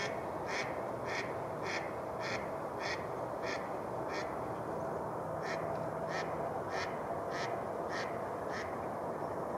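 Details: Flocks of mallards gather in spring at the thawed shoreline of Rush Lake in New Brighton, Minnesota. Repeated nasal quacks come about every half second through the whole stretch, with a short pause midway, over constant rushing noise.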